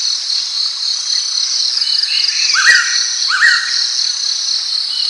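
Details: Ordinary call of a pitta: two quick rising whistles in succession, with a dense, continuous insect chorus dominating the background.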